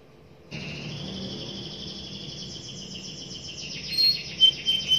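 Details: Young canary song with a sustained high buzzy trill that holds steady for several seconds, then shifts higher and ends in a few sharp chirps, over faint background hiss.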